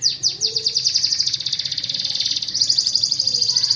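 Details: Lure song for canaries that rarely sing: a fast trill of descending notes, about eight per second. It runs into a denser buzzy rolling trill midway, with a low background hum.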